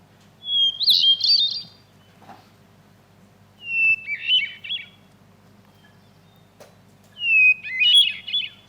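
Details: North American Hermit Thrush singing three flute-like phrases, each opening on a clear held whistle then breaking into rapid ethereal trills, separated by pauses of about two seconds; songs alternate higher and lower starting pitches; faint low rumble beneath.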